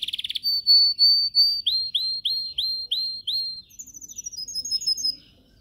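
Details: Yellow caged canary in training song, opening with a quick rattle, then a series of clear whistled notes repeated about twice a second, ending in a faster high twittering trill.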